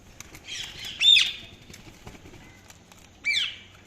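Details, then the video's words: Indian ringneck parakeet chirping: two short, harsh, high squawking chirps with downward-sweeping tails, the first about one second in after a softer buzzy chatter, the second near the end, with quiet pauses between. "Parrot Chirping Sounds | Parrot calling sound"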